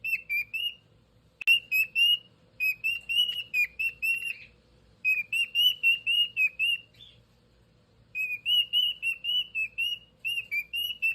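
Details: Pet cockatiel whistling a repeated series of clear, slightly rising notes in quick bursts of about five to eight, separated by short pauses, with a quiet low hum in the background.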